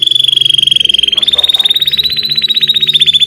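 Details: Belgian canary singing: a loud, sustained rolling trill of very rapid repeated notes on a nearly level high pitch, shifting slightly higher midway and continuing unbroken throughout.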